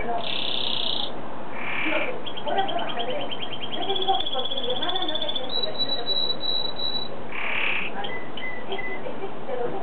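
A canary sings fast, rolling trills of rapid repeated notes, then a long steady high whistle, with short buzzy bursts between phrases and a faint background hiss.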